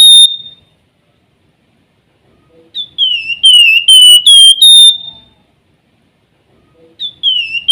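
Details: Active flamboyan song of clear fluting whistles: a sliding note then a string of loud, level whistled notes, phrases separated by silent gaps of nearly two seconds.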